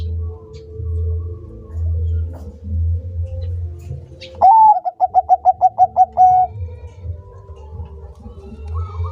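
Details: Singing Bangkok-type zebra dove: one clear rising coo leads into about nine quick, regularly spaced short notes and a long final note. Before and after, only a low droning hum and a faint steady tone are heard.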